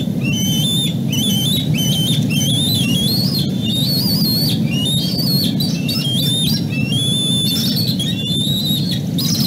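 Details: Bald eagle eaglet that dropped from the nest chasing a fallen fish, crying out from below as the adult and a nestmate look on; a continuous stream of shrill, wavering, whistled squeals with harmonics, rising and falling, over a steady low wind rumble.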